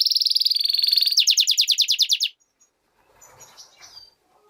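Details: European goldfinch × canary hybrid singing a rapid buzzy trill high in pitch, then a faster run of sharp repeated notes that ends abruptly after about two seconds, followed by faint background rustling.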